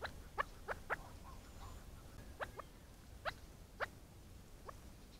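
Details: Short, harsh clucks from a chukar partridge, often doubled in quick pairs, around ten notes in five seconds with brief pauses between bursts, against a quiet low background rumble.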